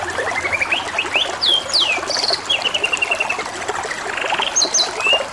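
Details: Canary singing over a steady background of trickling water: fast rattling trills, sharp upward and downward whistled sweeps, and a long evenly repeated note series near the middle, all bright and high-pitched.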